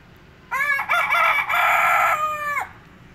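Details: A single rooster crow, about two seconds long, begins after a short quiet pause. Stuttering opening notes lead into a long, strained, level cry that falls off abruptly. Faint background hum.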